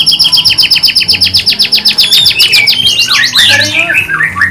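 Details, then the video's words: Canary singing as a lure to stimulate other canaries, with 'kapas tembak' fill phrases: a quick run of repeated high clipped notes, then twisting, warbled slurs dropping in pitch, with faint low hum behind. "Suara pancingan kenari untuk merangsang bunyi supaya GACOR dan EMOSI!!"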